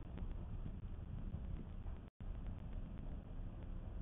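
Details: Steady low rumble of wind and distant traffic with a brief dropout midway; no animal voices.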